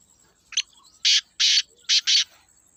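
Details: Natural call of a black francolin: a short scratchy lead note, then four loud harsh rasping notes in two pairs, with a faint thin high tone running in the background.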